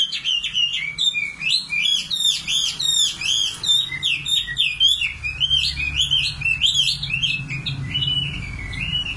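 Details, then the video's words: Nightingale singing a dense, varied run of fast chirped and warbled notes, high and sharp, phrases tumbling one after another with barely a pause, over a low hum. "Singing nightingale. amazing bird song"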